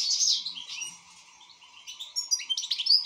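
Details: Singing European goldfinch in full form, giving a quick run of liquid twitters and bright chirps, with a softer middle stretch and then sharp, rising notes near the end; a faint steady hum lies underneath.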